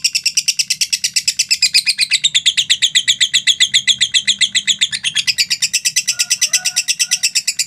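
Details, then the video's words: Long ngekek trill from a lovebird, used as training and lure material: rapid, even chain of shrill high notes without pause, with faint low background hum and a few softer chirps near the end. "LOVE BIRD NGEKEK PANJANG 2 MENIT TANPA JEDA"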